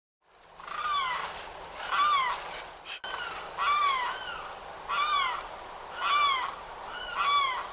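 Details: Limpkin in Florida, among the state's loudest birds, giving loud crying, shrieking calls: about seven wailing, downslurred notes, each repeated roughly every second, with a steady low hum underneath.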